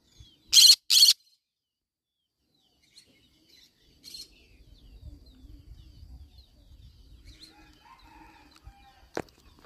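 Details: Two abrupt harsh squawks from a yellow-sided conure parrot near the start, then a long quiet stretch with one brief faint squawk, soft low rumbling and a sharp click near the end.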